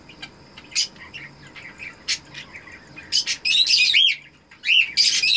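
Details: Red-eyed cockatiel breeder pair calling while mating, kept as breeding birds: sharp high chirps, then loud harsh squawking bursts with rising-and-falling whistled notes near the end.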